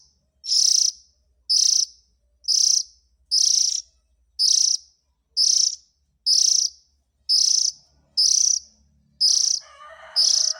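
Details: Steady series of high, hissing rasps from an Oriental magpie-robin chick, used to lure adults. Eleven calls come at close to one-second intervals, and a murmuring lower sound joins near the end.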